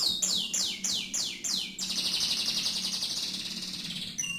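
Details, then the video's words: Canary opens with a string of evenly spaced downward-swooping whistles, then runs into a long, fast, buzzing trill, closing with a few clear high notes. "kenari mirip sang legenda tc1"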